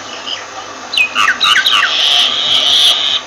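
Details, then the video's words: Myna giving a quick run of descending whistled and gurgling notes, followed by a long harsh wheezing rasp. "Myna Bird sound Voice"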